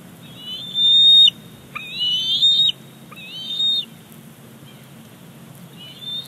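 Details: Young male bald eagle at Big Bear Lake, 28 July 2019, squeeing to beg as his mother brings a fish to the nest: high, thin whistled squeals with wavering, slurred pitch, three long cries then a brief fainter one, over a low background rumble.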